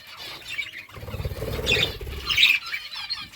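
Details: Pet budgerigars chirp as they eat, with soft warbled twittering throughout and a few brighter, sharper chirps standing out above a low fluttering rumble.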